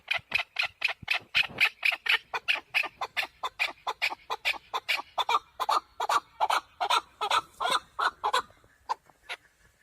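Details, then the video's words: A male partridge gives its hunting call as a fast, dense series of raspy, clucking notes, several per second, slowing and thinning out over the last second. "Овози кабки шикори Keklik avi Partridge صوت ذكر الحجل للصيد اواز کبک"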